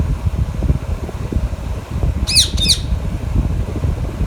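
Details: Alexandrine parakeet at a mango meal alongside a ringneck parrot, giving two abrupt, raspy squawks in quick succession midway, otherwise only a loud low fan-like rumble.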